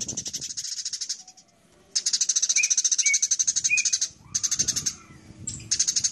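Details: Burung gereja (Eurasian tree sparrow) in a fight, giving long fast trains of sharp high chirps that break off after a second or two and restart, with scattered lower squeaks mixed in.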